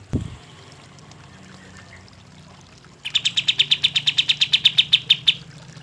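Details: Lively kapas tembak bird song meant to lure lazy birds into singing; after a soft knock and quiet pause, a fast, steady string of bright high chips runs for over two seconds.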